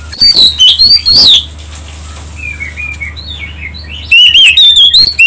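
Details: Oriental magpie-robin song used to draw other birds into singing: loud bright whistles with rising notes at the start and again at the end, and soft, lower warbling phrases in between over a steady low hum.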